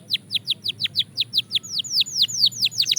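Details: Rapid descending chirped notes from a Belgian canary in song training, about five per second, steady and loud over a quiet background.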